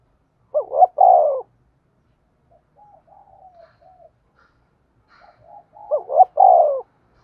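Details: Decoy spotted dove for trapping wild doves with lime sticks, cooing two full phrases, each a stuttered double note and a long falling coo, with soft quiet cooing notes between them.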